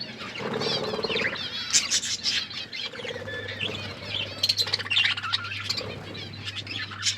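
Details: Budgies eating food, a flock of pets twittering nonstop: bright trilled chirps and harsh squawks overlap, with lower nasal chatter here and there and a constant mains hum in the background.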